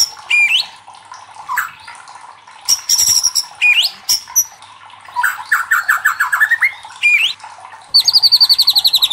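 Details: Loud white-rumped shama song used as a lure to provoke other shamas into singing: high whistled upslurs, sharp clicks, a descending series of rolling notes and a fast repeated high trill at the end, over steady background hiss.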